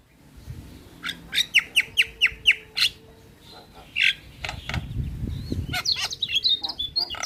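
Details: Javan myna lure song for a bird reluctant to sing: a rhythmic series of six or seven sharp chip notes, a pause, then a harsh squawk and a fast jumble of high whistles and clicks.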